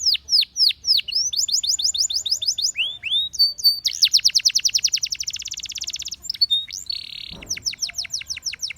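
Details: Gloster canary in strong, loud song: rapid series of high descending sweeps, a dense buzzing trill, a brief flat whistled tone, then more quick falling notes repeated several times a second.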